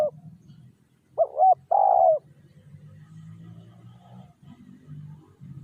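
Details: Spotted dove calling to lure wild doves. One loud phrase, a short, rising, tremulous note followed by a long, buzzy coo, then low rumbling background noise continues after it.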